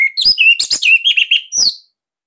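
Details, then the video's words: Captive Bali orange-headed thrush singing a loud, tight song used to coax young or silent birds into song: a steady whistle, then a quick run of warbled, slurred notes and a final high rising phrase. "Kicauan ANIS MERAH Ini Cocok Buat Masteran"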